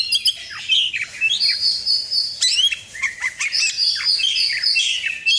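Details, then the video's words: Oriental magpie-robin song used as a lure to make other birds sing: varied whistled phrases, rising and falling slurred notes, and sustained high whistles mixed with short harsh chattering notes. "pancingan burung karcer"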